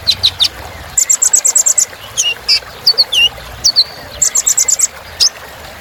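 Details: Kolibri ninja sunbird song, a rich filler for rousing birds: rapid clusters of high chips mixed with falling whistled notes and brief trilled bursts.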